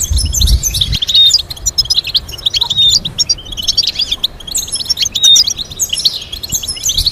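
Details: European goldfinch song used to teach goldfinches complex melodies: rapid twittering of bright liquid chirps and short trills, with brief buzzy notes and thin whistles, sung in bursts with short gaps; low rumble underneath.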